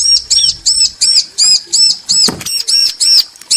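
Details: Bar-winged prinia, male and female calling to each other: a rapid, steady run of sharp high arched chips, nearly three per second, with one brief clattering noise midway.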